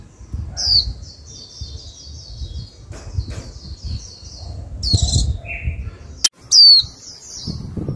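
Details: Caged female white-eye calling the male to song: faint, high, descending chirps scattered through the recording, one loud clear call near the end, with a sharp click and low rumbling noise.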